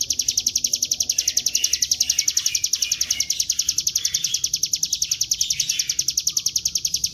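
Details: Lure recording of a bar-winged prinia singing in the 'gacor ngebren' style, meant to provoke birds into song: a sustained, rapid stream of bright, high, ticking notes repeated steadily throughout, with a faint background hiss.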